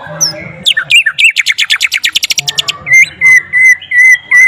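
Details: White-rumped shama singing with mimicked flycatcher notes: swooping whistles lead into a fast, loud trill of rapid repeated notes, then a series of steady, clear, sustained whistles, with a low hum beneath.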